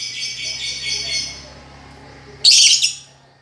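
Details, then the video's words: Lovebird song as master material for a silent lovebird: soft high twittering fading out, then one loud shrill chattering burst lasting about half a second. "Master untuk lovebird yang macet bunyi"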